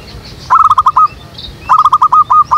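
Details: Zebra dove call used as a lure for trapping doves in a jackfruit tree behind a house: two loud bursts of rapid, evenly spaced cooing notes, each phrase about half a second, separated by a pause with faint background chirps.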